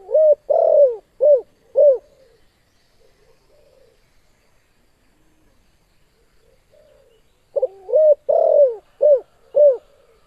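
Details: Spotted dove with a strong call used for training or competing birds: a mellow cooing phrase of four to five low notes, silence for several seconds, then the phrase repeated.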